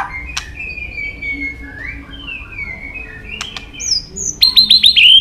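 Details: White-rumped shama training song of many forest voices. Soft, long, high whistles glide slowly up and down between sharp clicks, ending in a rapid run of bright, repeated chirping notes.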